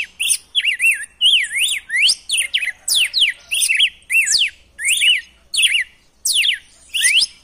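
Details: Dense, lively red-cowled cardinal song in the 'selvagem' style, aimed at getting a captive male to sing: rapid chains of looping up-down whistles and steep downward sweeps with hardly any pause.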